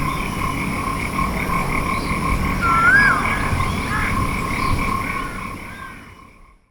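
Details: Single Asian koel call, a slurred whistle rising then falling, set against steady droning tones before the sound fades out.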